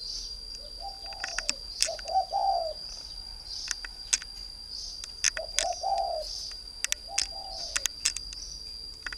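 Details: Three-year caged decoy spotted dove from northern Vietnam repeating mellow two-part coos, short lead-in then a fuller trembling note, with bursts of high chirping and a steady high tone in the background.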